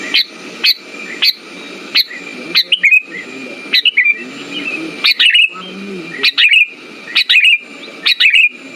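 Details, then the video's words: Sooty-headed bulbul singing as a lure to stimulate birds that have gone quiet: crisp, chirping phrases of two or three quick notes recur about once a second over a faint steady tone. "Pancingan burung kutilang macet"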